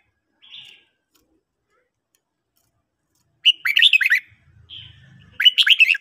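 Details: Morning song of a red-whiskered bulbul: a short soft note, a long silence, then two lively warbling phrases of quick slurred whistles separated by a brief low murmur.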